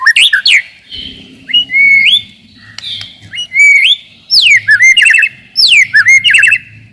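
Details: Song of a white-rumped shama, played to stir rivals and toughen young birds: loud upswept whistles and twisting phrases in separate bursts roughly every second, with short quiet gaps between.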